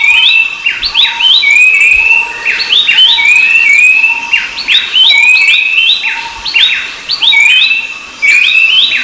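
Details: Repeated drawn whistles of the rufous-browed babbler, each rising softly and ending in a flick, mixed with crowded downslurred chirps from other birds and a low steady tone.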